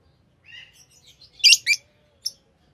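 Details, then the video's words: Soft twittering notes lead into two loud, squeaky chirps and one last short peep from a green Fischer's lovebird pair. "Lovebird Singing & Chirping Sounds - Green Fischer Pair"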